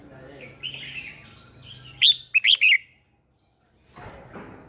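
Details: Decoy red-whiskered bulbul song for stimulating rival bulbuls to sing; a soft warble leads into three loud, clipped whistled notes, followed by a brief silence and faint rustling.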